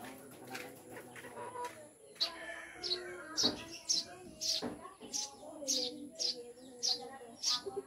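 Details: Captive Eurasian tree sparrows (Maya), recently taken in as pets, repeat short high chirps about twice a second. The chirps grow louder and steadier in the second half, with faint background voices and rustling.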